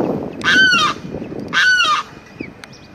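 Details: A Limpkin perched in a cypress tree, April 22, 2021, gives two loud, harsh wailing screams about a second apart, each rich and quavering with a slight downward bend, over a quiet background.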